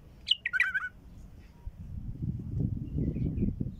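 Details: Bulbul call, used to attract wild bulbuls: a short burst of bright, bubbling, whistled notes at the start, then a steady low rumble of background noise with faint high chirps near the end.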